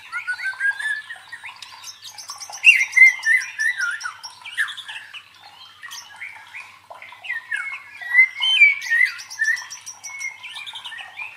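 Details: White-rumped shama song for training contest fighter birds: dense rapid sequence of chattering notes, squawks and twisting whistled slurs, with a fast ticking high series and louder bursts in the middle and late.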